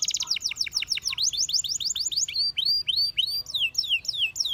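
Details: Canary song for training: rapid descending sweeps repeated in a quick rolling series, followed by slower rising-and-falling arched whistles and sharp downward slurs.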